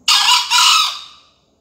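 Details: Harsh, hoarse two-part crow from a green junglefowl at a 2020 singing contest final in Surabaya, Indonesia; a sharp first burst, a brief dip, then a second note fading out over about a second.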